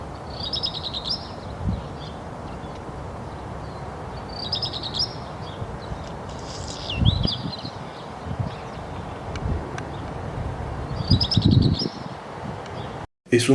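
Black Redstart singing short, high, scratchy phrases with a crackling middle, repeated every four to five seconds over a steady low rumble of wind or distant traffic.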